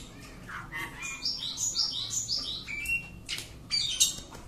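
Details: During a courage test, a home-kept Oriental magpie-robin gives a sequence of bright whistled notes and squeaky chirps, some harsh, in separate short phrases, ending with a burst of high scratchy calls.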